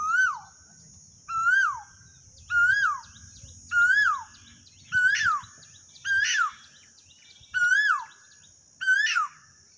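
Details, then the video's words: An Asian koel in a rural field in Rajasthan, India, gives loud, clear, upslurred "ku-oo" notes, eight in a row about every second and a bit, over a steady high insect-like whine. "कोयल की दिल को मदहोश कर देने वाली बोली आवाज/ Cockoo bird song/koel voice"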